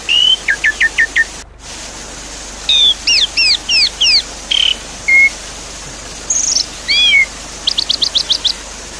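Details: Javan pied starling song over water sounds, a lure for a bird that has stopped singing: quick repeated chips, a series of doubled rising notes, a buzzy burst and a closing string of rapid upswept whistles over hiss.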